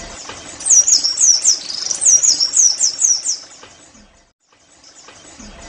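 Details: Oriental white-eye (pleci) "nembak" song for making caged birds sing: a short series of high, looping whistled notes, then fading to near quiet.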